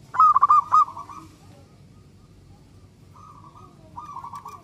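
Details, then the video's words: A frequently singing local zebra dove, used to prompt other doves to sing. A loud quick run of pulsed coo notes ends in a drawn-out tail. After a pause, two quieter cooing phrases answer. "Perkutut lokal gacor suara super ampuh untuk merangsang perkutut cepat bunyi"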